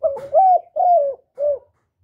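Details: Spotted dove cooing, a call used to stimulate captive decoy and male doves: one phrase of four low, hollow coos, a short note, two long drawn notes, then a short final one, in a quiet setting.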